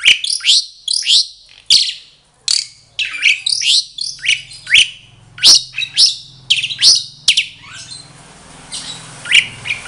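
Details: Captive mated pair of Asian pied starlings (contra mynah) at an Indonesian breeding set-up singing: a lively run of sharp, chattering whistles and squeaky notes in quick bursts, low hum underneath.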